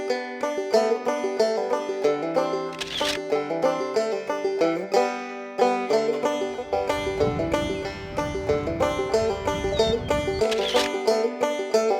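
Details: Plucked banjo music with a steady, bright rhythm plays throughout, and no animal voice is heard.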